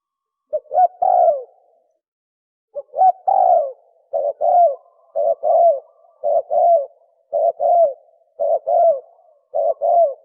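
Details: Rapid spotted dove coos in the 'thổ còi' style. After a pause, short clipped notes followed by a longer falling coo repeat almost without a break, about every second.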